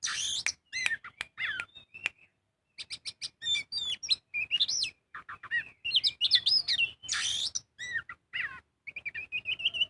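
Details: Kacer magpie-robin in loud 'gacor full ngobra' song as a singing lure: rapid ticking clicks and chattered notes give way to looping whistles, harsh buzzy bursts and a closing run of wavering whistles.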